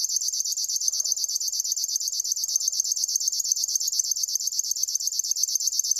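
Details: Unbroken River warbler song made of quick, buzzy pulses at a regular tempo. Little else is audible except faint soft notes low down.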